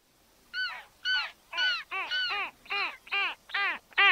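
Arctic skua giving nasal, mewing wails, about nine harsh arched notes in four seconds, each rising then falling, with no other sounds.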